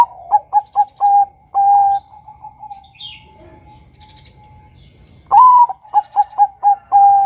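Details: Male Bangkok-type zebra dove calling to lure other males, giving two phrases of short clipped notes ending in long level coos, with a rising opening note on the second and soft background cooing between.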